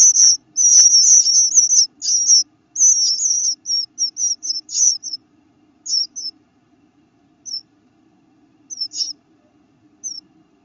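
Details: Eastern Bluebird nestlings whose eyes have started to open give a new sound: thin, very high peeps, first in a busy overlapping chorus, then thinning to scattered single notes over a faint low hum.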